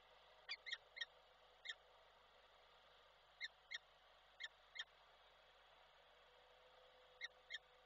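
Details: Koszalin, Poland, 12 December 2023: a male peregrine falcon calls to the female, then departs when she comes. Fairly quiet, sharp notes arrive in small clusters of two or three with long pauses between, over background hum.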